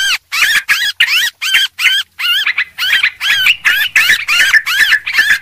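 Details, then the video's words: Sooty-headed bulbul lure call, noisy style: a steady series of short warbled bursts, about three per second, each with bouncing rising-falling notes, spaced by crisp silences. "suara pikat burung trucuk ribut"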